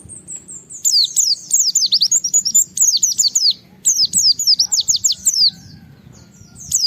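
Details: Japanese white-eye (pleci) in gacor challenge song meant to provoke rival white-eyes; a high thin opening note, then fast runs of shrill downward-sweeping whistles in two long bursts, faint low hum beneath.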